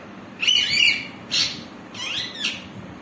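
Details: Green parrot talking: three clear calls, the first and last with tonal, wavering, slurred notes, the middle a short raspy burst, in a quiet room.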